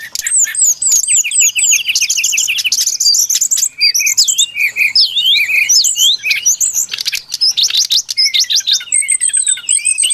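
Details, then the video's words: Lure song of a brown-chested jungle flycatcher for trapping: opens with rapid repeated down-slurred whistles, then varied looping notes, short chirps and scratchy trills running on without pause. "Suara pikat burung sikatan SRDC Sikatan rimba dada coklat"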